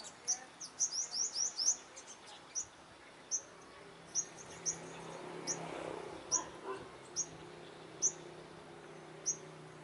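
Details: Olive-backed sunbird confronting rival lead males at a trap: a quick cluster of high sharp chips, then single thin notes spaced roughly a second apart over a faint low hum.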